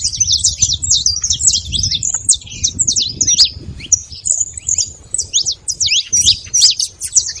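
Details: Saffron finches massed at a feeding station, calling nonstop in sharp, high tweets and downslurred chips from many birds at once, low background rumble throughout.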